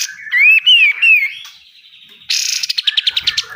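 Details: Pied triller (kapas tembak) song recorded for training caged birds: a wavering whistled phrase that rises and falls three times, followed by a harsh buzzy rattle of about a dozen rapid pulses in besetan style.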